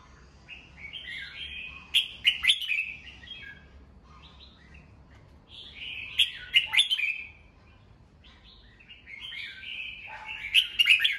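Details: Red-whiskered bulbul, a kept cage bird, singing in the morning, played to train birds' voices and fire them up. Three bright, warbling phrases come about every four seconds, each a quick jumble of liquid whistles with sharp clicky accents, separated by quiet gaps.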